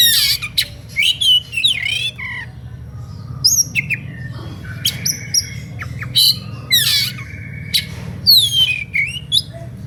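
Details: Oriental magpie-robin singing an emotional, provoking whistle song that draws other magpie-robins within earshot to join in: dense bursts of sweeping whistles, harsh chirps and trills about every second, over a low steady hum.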